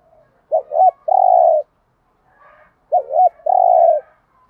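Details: Lure spotted dove calling to provoke other doves, two phrases each of a wavering two-part hooked coo then a long level coo, with faint distant cooing between.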